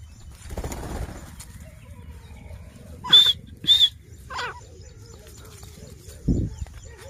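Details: Grey francolin calling in a city, giving two loud, sharp, high notes about half a second apart, then a softer third, over low rustling and a brief thud.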